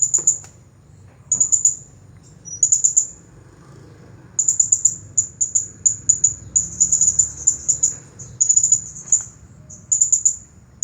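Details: Champion Blue-crowned hanging parrot singing nonstop in the 'Nagih Hutang' style: very high, thin, sharp notes run in quick bursts of three to five, with short pauses between bursts over a faint low hum.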